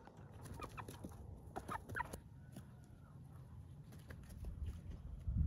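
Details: Hens and roosters at day's end while being said goodnight to, giving scattered short clucks, busiest in the first two seconds, then fading to sparse notes, with a low rumble swelling at the close.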